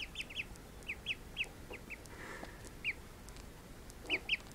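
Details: Young call ducks, ducklings just woken from a nap, give short high peeps singly and in quick pairs at irregular intervals, with faint background rustling and a soft wash of noise mid-clip.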